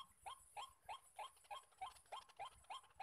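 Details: Rhythmic harsh croaking from a white-breasted waterhen at a spot where many males call around a decoy, each upward-bending note repeating about three times a second.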